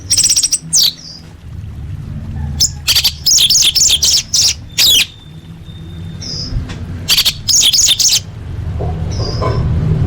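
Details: Orange-headed thrush full fill-in song used to train competition birds: loud clusters of scratchy high notes in quick bursts, with short whistled slurs between them over a low background rumble.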